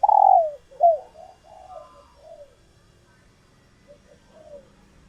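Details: Female spotted dove, kept bird in egg-laying condition, calling to excite males into courtship cooing; a loud falling coo and hooked note open, followed by progressively softer fading coos and faint distant ones.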